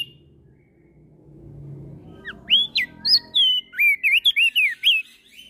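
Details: Javan grey-throated white-eye in full, loud ngeplong-style song, answering other birds. Low rumbling background first, then from mid-clip a run of clear, high, sharply rising and falling whistled notes, about a dozen in quick succession.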